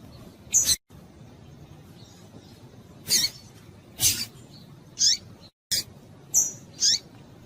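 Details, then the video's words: Calls of a breeding female double-collared seedeater meant to stimulate males: sharp high chips mixed with downslurred buzzy notes, spaced about one second apart, with brief silent gaps in the recording. "fêmea de coleiro quente para esquentar coleiro"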